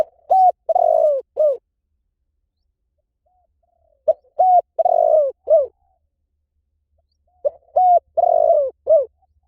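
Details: Spotted dove giving three regular cooing phrases, roughly every three and a half seconds, each a short note, a rolling drawn-out coo and a falling closing note.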